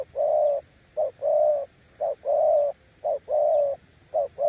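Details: Deep, rounded cooing from a spotted dove used as a decoy. A short note leads into a long sustained coo, repeated in steady pairs about once a second.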